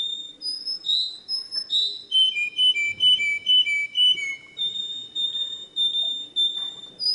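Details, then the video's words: Canary song: opening high swooping whistles give way to a steady run of pure notes alternating between two pitches, roughly two per second, then level whistled notes. "تغريد الكناري صافي و احترافي جودة عالية-Chant Canari"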